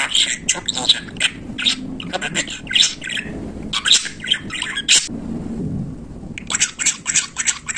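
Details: Pet budgerigar chattering like a talker, dense scratchy warbles and squeaky chirps in quick succession, a short pause near the middle before the babble resumes.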